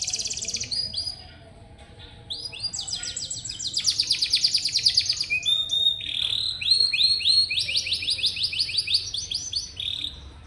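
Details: Canary song for stimulating young, rarely singing canaries: varied phrases of dense buzzy trills and rattling rolls alternating with clear whistled notes, changing tour every second or two, briefly pausing near the start.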